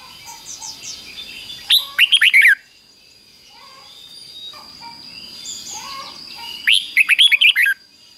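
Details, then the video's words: Red-whiskered Bulbul song in the Thai doubled 'beun' style, fik-jik-fok, played daily for chicks to learn: two rapid phrases of slurred whistled notes about five seconds apart, softer chirps of other birds between, constant high-pitched tone throughout. "นกเบิ้ลอาชีพง่ายๆ ฟิก-จิก-ฟก ล้วนๆ เปิดไห้ลูกนกฟังทุกวันติดแน่นอน"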